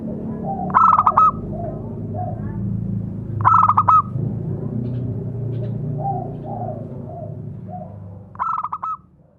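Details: Singing male local zebra dove, a tutor for other doves: clipped, bubbling coo phrases every few seconds with soft, lower trailing coos between them, set against steady low rumbling noise.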